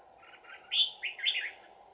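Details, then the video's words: Fighting song from a bell-voiced Red-whiskered bulbul used as a trap decoy, 11 January 2019. Soft chattering notes lead into loud, bright whistled phrases that rise and fall quickly, above a continuous insect whine. "Bẫy chào mào Giọng chuông đấu giáp lá cà"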